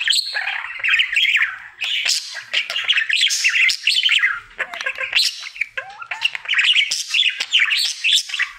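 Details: Male pet budgerigar in happy daily song: rambling chatter of grating buzzes and chirps mixed with short sliding whistles, flowing continuously with brief dips in loudness.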